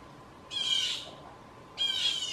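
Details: Blue jay in a backyard giving loud harsh false alarm calls that scare gray squirrels: two raspy, buzzy screams about a second apart, each with a slightly falling tone.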